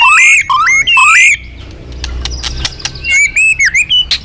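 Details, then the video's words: Vigorous, loud magpie-robin song meant to draw in other birds: three rising, stepped whistles with rich overtones, a pause filled with clicks and low rumble, then a quick run of short whistled notes. "suara burung murai gacor"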